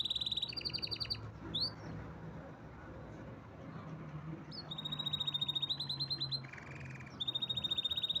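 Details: Canary song in bursts: high rolled trills at the start, a quick upward sweep, a quiet gap of about three seconds, then steady pulsing trills and a lower buzzy phrase.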